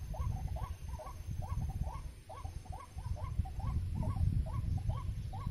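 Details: White-breasted waterhen, known locally as ruak-ruak or kreo padi, heard during bird trapping: hooked, nasal notes repeated about three to four times per second in a steady chant, over strong low rumbling background noise.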